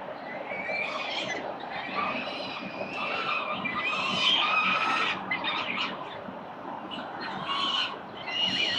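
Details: Peregrine falcon nest with four chicks fed breakfast, 4 November 2021, on a building in Victoria: a jumble of rough screeching and squealing calls rising and falling, over constant low background rumble.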